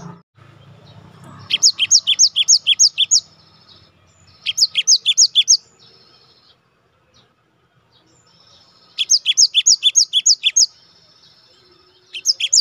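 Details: Gelatik batu, a cinereous tit, sung as a master track to get kept birds singing nonstop; four bouts of high, sharp two-note phrases repeated fast and evenly, with quiet gaps between bouts.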